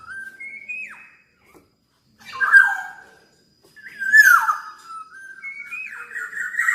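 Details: Black-naped oriole, a very talkative bird, alternating rising whistled notes with loud harsh, descending nasal calls, about three phrases with brief gaps.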